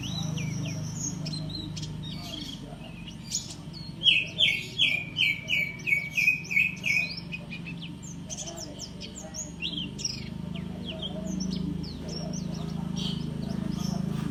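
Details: Lively white-eye song: thin high chirping, then a burst of about ten loud, clear, repeated downslurred notes in rapid series, then more scattered high twitters over a low hum.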